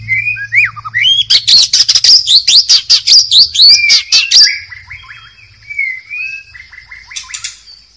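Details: A wild white-rumped shama sings in the forest: a rich, varied song of fluid whistles, then a rapid burst of sharp repeated notes, easing back into softer whistled phrases.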